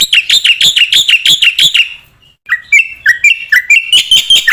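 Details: ['Black-winged myna in full song, played as a lure for other mynas: rapid rhythmic chattering notes, a brief silence, then varied whistled phrases and rising squeaks building back into quick repeated chirps.']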